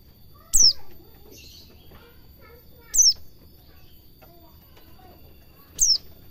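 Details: White-eye ngalas cingjuitan song meant for training caged birds: three bright downslurred notes spaced about two and a half seconds apart, with weak lower chirps between them.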